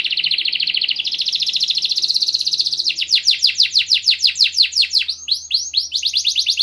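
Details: Motivational canary song meant to stimulate other birds into singing: a sustained buzzing roll that steps slightly higher, then rapid repeated falling whistled sweeps, about three per second, bright and high-pitched throughout.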